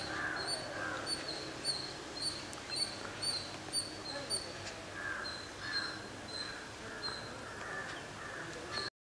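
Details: Jungle babblers in a coffee plantation at Yercaud give high, squeaky notes about twice a second over a steady harsh, chattering background.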